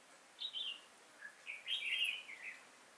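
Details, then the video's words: Red-whiskered bulbul in Vietnam, a decoy bird used while trapping wild bulbuls, recorded 5 October 2018: short bright chirpy phrases, a quick warbled note, then a longer rich burst of warbling with quiet gaps between, against a faint hiss. "Bẫy chào mào"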